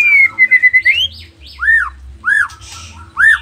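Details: Loud Nias spotted white-rumped shama: a level whistled trill rising into a slur, then three well-spaced arched whistles, each rising and falling, with a faint low hum beneath.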